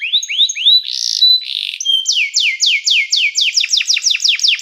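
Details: Canary singing to call fellow canaries and train them: rising whistled notes and harsh bursts, followed by a run of loud descending sweeping notes that speed into a trill.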